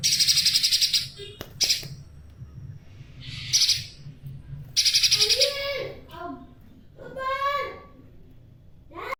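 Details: Tame spiderhunter singing outdoors, recorded as a tutor track for songbirds: bursts of rapid, harsh, high-pitched trilled notes, with lower slurred whistled notes mid-sequence and a steady background hum.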